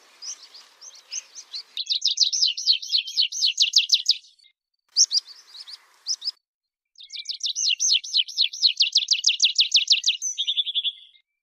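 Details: A rock pipit (Anthus petrosus) sings long, accelerating runs of high, thin, repeated notes that speed into a dry trill and end in a buzzy flourish.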